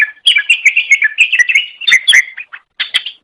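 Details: Loud, continuous chattering from a green leafbird (cucak ijo) on a master recording for training birds: quick warbled and whistled notes with sharp clicks, ending in a few separate chirps.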